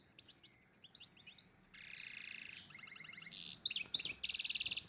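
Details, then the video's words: Song of a breeding-condition goldfinch crossed with a red agate canary: high twittering warbles that build into fast buzzy trills and a rapid repeated rattle near the end, with faint background noise. "goldfinch - ramin"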